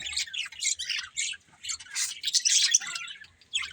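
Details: Pet budgerigars chirping: busy, scratchy chatter of rapid, irregular, high squawks and warbles, several notes per second, with brief pauses.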